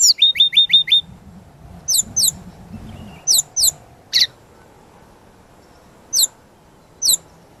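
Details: Brown-chested jungle flycatcher singing vigorously, a master song full of varied phrases used to lure and train other songbirds; opens with five quick downslurred whistles, then scattered sharp high notes and buzzy strokes separated by pauses.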